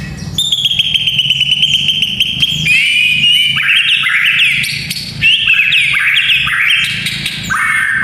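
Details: White-rumped shama singing to train young fighter males: a long, high, level whistle with fine trilling, then a run of quick swooping, falling whistled phrases and sharp clicks, constant low hum.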